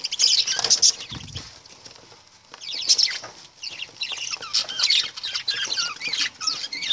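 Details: Lovebirds give bursts of shrill chirps, a quieter pause with a soft thump, then a busy stretch of varied squeaky and trilling notes.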